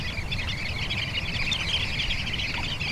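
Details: Sanderling on the beach at Bañugues, Asturias, Spain; a steady stream of high, short twittering notes forms a busy chorus above a constant low rumble of surf and wind.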